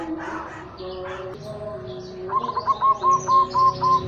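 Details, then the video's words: Caged local zebra dove from Tuban with a big droning 'kung' ending, used to prompt other doves; soft low cooing followed by a quick, even run of clipped repeated notes near the end. "Perkutut lokal SUARA BESAR KUNG MENDENGUNG"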